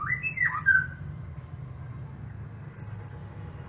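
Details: Blue-crowned hanging parrot, a champion bird, giving its 'nagih hutang' style song: rising squeaky slurred notes, then rapid bursts of piercing high ticks, a lone high note, and another rapid high burst.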